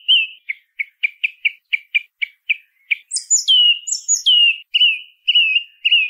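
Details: Song thrush singing a rapid train of about a dozen short identical notes, then three high whistles that each slide sharply downward, and three repeated lower whistled phrases to close, with no background noise.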